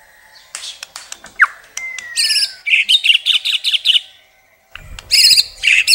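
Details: White-rumped shama song opening with clicks, a sharp downswept note and a long falling whistle, followed by a string of loud harsh chattering notes and a final burst of buzzy phrases.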